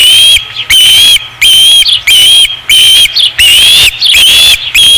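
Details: Osprey at the nest on 5 August 2016: a fast, urgent run of loud whistled notes, about eight in five seconds, some bending upward, with quick soft chirps tucked between.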